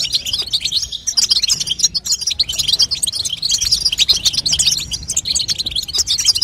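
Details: Rapid tinkling chatter of a female European goldfinch, the babtaba call given to get a young goldfinch singing, with sharp high notes tumbling together nonstop.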